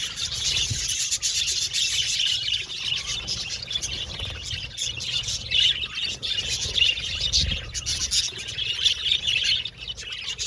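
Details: A budgie colony in an aviary producing a long unbroken chorus of shrill chirps, squawks and warbles, many birds calling over one another.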